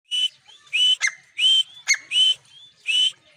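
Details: Partridge (titar) of a good breed calling: clear whistled notes, each rising, repeated about once every 0.7 seconds, with sharp clicks and short flat tones between them in an otherwise quiet setting.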